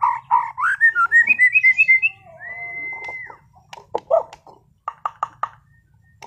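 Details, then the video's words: White-rumped shama, a caged competition bird from Sragen, singing varied material: rising whistles climbing in pitch, a long level whistle, then scattered harsh chips over a faint low hum. "MURAI BATU TEMBAKAN ISTIMEWAH gacor bongkar materi kelas lomba"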